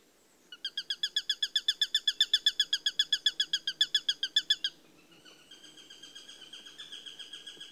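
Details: A Eurasian sparrowhawk gives a fast, harsh kek-kek-kek series of about thirty ringing notes, followed by a fainter, quicker run of similar notes.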